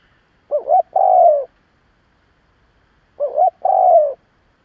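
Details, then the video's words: Lure spotted dove cooing to rouse other doves; two identical phrases about two and a half seconds apart, each a short warbled double note followed by a long, mellow, slightly descending coo, in quiet surroundings. "Cu gáy gù gáy kích bổi cực mạnh / Tiếng cu gáy hay kích bổi / Cu mồi thúc gù kích cực mạnh"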